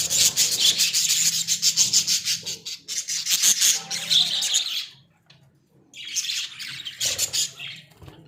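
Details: Australian budgies kept in a small cage, chattering in dense scratchy bursts of high warbling notes, then a brief pause before more chatter resumes; a steady low hum runs underneath.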